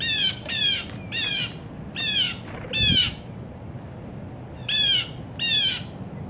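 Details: Adult and young Blue Jays, around fourteen birds, calling in an oak by the feeder as they come for peanuts at breakfast; loud raspy descending jay calls in quick runs, seven strident notes, plus a couple of thin high whistles.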